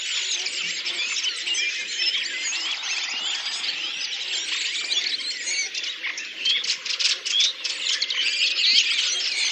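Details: In April 2019 at Oka Nature Reserve, Russia, a Redwing flock sings as one: dense high warbling and squeaky chatter throughout, growing louder and more pulsed with rapid chattering bursts toward the end.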